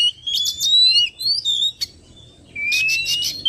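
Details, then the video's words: Oriental magpie-robin lure sound to pull wild birds toward it: long rising whistles broken by scratchy buzzy bursts, with steady low background noise throughout. "SUARA PIKAT BURUNG KACER"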